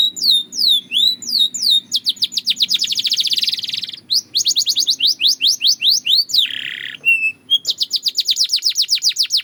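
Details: Belgian canary singing for training: rapid series of descending whistled sweeps, fast rattling trills, a buzzy harsh section near seven seconds, then quick repeated chirps; steady low hum underneath.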